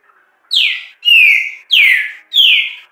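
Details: A Green-winged saltator on a Friday afternoon after 4 pm sings four loud, clear whistles in quick succession, each slurring downward from high to mid pitch, about half a second apart.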